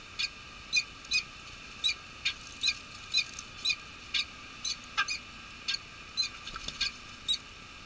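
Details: A peregrine falcon at the Nottingham Trent University nest cam, UK, on March 23, 2013, during unusual snowfall, as the male relieves the female on the eggs: short, harsh, high chipping notes, about two a second in an uneven series, over a steady hiss.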